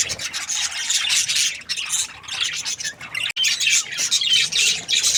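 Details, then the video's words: Breeding pair of budgerigars, called happy, producing a steady wash of high scratchy chatter and chirps, with a momentary cut just past three seconds. "Happy budgies chirping sounds | parakeet breeding pair"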